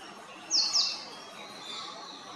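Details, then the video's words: Male purple sunbird calling, a sharp double of high, falling, slightly buzzy notes, then quiet with a faint bird note afterward. "Purple sunbird call, Male purple sunbird calling, Purple sunbird, Purple sunbird song, Sunbird sound"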